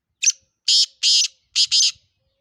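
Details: Black francolin from Sindh calling loudly: a clipped opening note then four broad, scratchy, buzzing bursts, the last two close together, in an otherwise silent setting.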